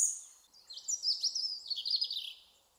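A European Robin sings one high, thin opening note, then a quick tumbling phrase of tinkling, liquid warbles that drifts slightly downward over about two seconds.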